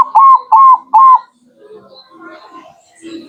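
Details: Zebra dove, local bird, singing as a lure: three loud, drawn-out rolling coos about half a second apart, then quieter distant chirps and faint cooing.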